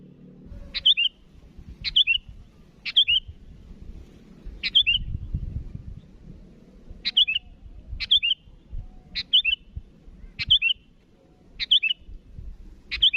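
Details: Sooty-headed bulbul calling to rivals, repeating a short, lively three-note phrase about ten times in thirteen seconds, with a brief pause midway and rumbling low background noise.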